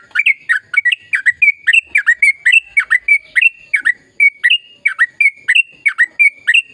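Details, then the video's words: Continuous, chatty sooty-headed bulbul song, used to spur silent trucukan into singing: rapid bright chirps linked by a thin sustained whistle, about three per second, uninterrupted throughout. "Suara Burung Trucukan Gacor Ropel Panjang Perangsang trucukan bisu biar aktif bunyi"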